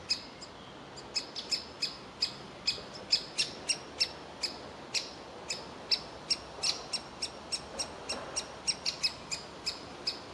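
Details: Young woodpecker sitting in a tree nest hole, begging to be fed while its parents want it to leave; sharp high chirps repeated about three times a second, steady and insistent, over a quiet outdoor background.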